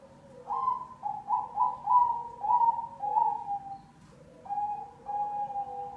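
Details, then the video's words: Lure song of a black cemani zebra dove: a long string of pulsing, wavering coos rising and falling in loudness, with a brief pause before two sustained warbled notes; overlapping quieter cooing and low hum. "Pancingan perkutut cemani"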